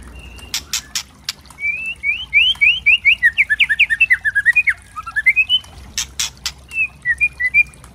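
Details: White-rumped shama (murai trotol) singing a loud kretekan-style song meant as a bait recording to provoke other birds: sharp crackling clicks open and close a fast run of rising, slurred whistles that dip and climb again.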